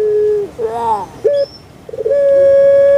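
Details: Puter pelung dove kept in Java, Indonesia: a held tone ends, a wavering gurgled note and short clipped sounds follow, then a long even whistle begins.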